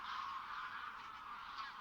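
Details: A dense chorus of some of nearly 23,000 migratory wild geese at Villafáfila lagoon, Spain, at the end of September, honking continuously, many nasal overlapping calls blending into a steady clamor with no pauses.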